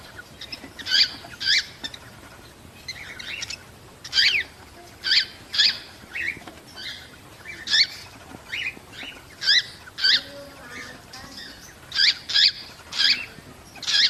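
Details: Cockatiels calling to encourage breeding. Loud, high chirping whistles arrive in bursts about once a second throughout. Some notes come in quick doubled pairs. Low background hiss.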